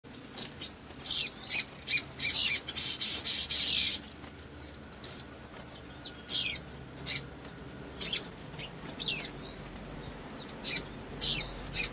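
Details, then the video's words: Crimson sunbird in energetic song, with long shooting bursts used as a lure to stir rival birds: sharp high chirps and swooping whistles, then a dense buzzy rattling trill lasting about two seconds before scattered chirps resume. "SOGON GACOR NEMBAK PANJANG ‼️ PANCINGAN EMOSI CEPAT BUNYI GACOR"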